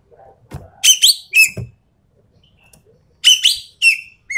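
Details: Endemic Sumatran treepie calling with paired harsh, buzzy bursts and clipped descending whistles, a quiet gap in between, and a few dull knocks in the background.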